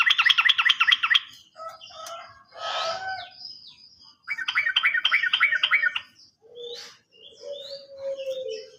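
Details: Sooty-headed bulbul lure song for untrained or silent birds: two fast rhythmic rattling trills, each about one and a half seconds, with mixed chirps and a low whistled note between and after.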